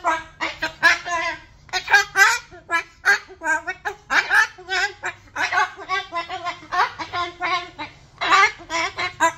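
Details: Pet cockatoo holding a long, excited vocal rant at its owner during a selfie, with bursts of harsh, voice-like syllables in rapid clusters and brief pauses between outbursts, over a faint low indoor hum.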